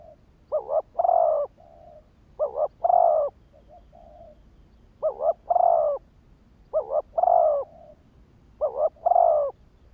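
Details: Decoy spotted dove cooing to provoke wild birds: five phrases of a stuttering double coo followed by a full, drawn-out coo, some trailed by faint low notes, spaced about two seconds apart.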